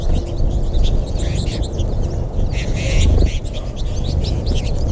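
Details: American goldfinch flock feeding at backyard feeders in NW Gainesville, Florida, on March 20, 2021, during the late-winter feeding frenzy; many high thin twittering chirps overlap while a steady low rumble runs underneath.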